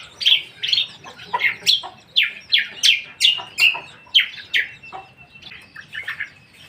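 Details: Lesser green leafbird song: a lively run of varied whistled and chattering phrases, some sweeping down and some rising, given about every half second with short pauses and a brief thin sustained note near the end.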